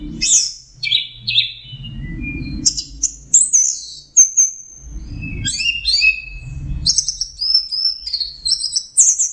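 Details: Orange-headed thrush in varied, energetic singing for training songbirds: quick high chips, short slurred whistles and buzzy trills in rapid succession, with bursts of low rumbling background noise.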